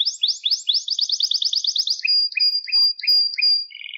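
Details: Canary song for teaching young birds: a quick series of rising and falling chirps, then a sustained high whistle broken by short repeated notes, ending with a soft low trill.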